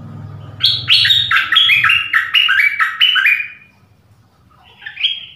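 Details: Dok taeng decoy bird calling for a mate in the forest, January 2021: a long, loud string of rapid descending chirps for about three seconds, then a brief rising call after a pause.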